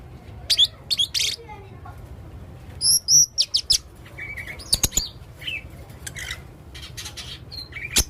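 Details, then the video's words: Varied song of a male blue-crowned hanging parrot in full voice: very high, thin squeaks and paired whistled notes, scattered chirps and a few sharp clicks in loose irregular bursts over a quiet background. "burung serindit jantan gacor banyak suara aneh"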